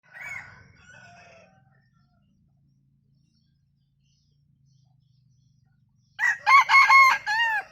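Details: Bantam rooster crowing in a laugh-like style: after faint chirps and a long quiet gap, a loud crow of several short choppy bursts ending in a drawn-out note.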